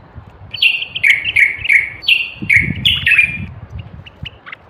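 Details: North African common bulbul, called the Moroccan bulbul, repeating loud falling whistled notes in quick succession, roughly three each second, with low background rumble.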